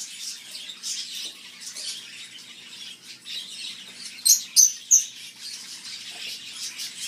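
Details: Several canary-winged parakeets in a pet shop keep up a constant high, scratchy chatter, broken by three loud, shrill screeches in quick succession near the end.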